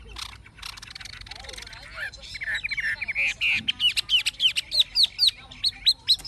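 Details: Caged Chinese hwamei, old and wild-caught, singing in forest style: after a soft, noisy start come loud, clear whistled notes, each sweeping up and down, repeated about twice a second.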